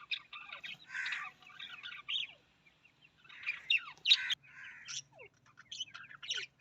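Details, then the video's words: Australian parrot chattering in loud, buzzy and squeaky phrases with downward-sliding notes, broken by brief pauses, then resuming in lively bursts. "Australian parrot voice"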